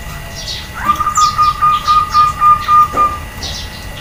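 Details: Female zebra dove call meant to stir males into answering: a sustained, fast-vibrating coo on a single pitch lasting about two seconds, with scattered higher bird chirps and steady background hum.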